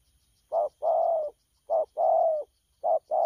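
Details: Young spotted dove cooing in the local 'lăng săn' style, recorded 12 October 2019; low, hollow coos, a short note followed by a longer drawn-out one, repeated three times in just over three seconds against a quiet background.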